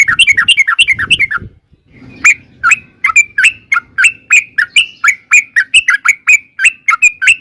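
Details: Yellow-vented bulbul (trucukan) long ropel song for luring birds to answer: a quick twittering run first, then a slower series of about fifteen clear separate notes spaced roughly every third of a second.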